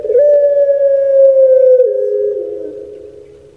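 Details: Kept puter pelung collared dove, Indonesia: one sustained, pure-sounding coo held nearly two seconds, then slipping lower and fading into a softer, wavering tail.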